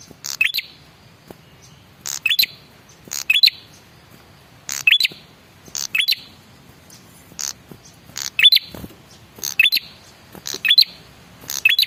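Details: Lure call from a male red-headed prinia to draw answers from other birds: repeated short phrases of sharp ticks and a rising whistled note, about once per second, steady throughout.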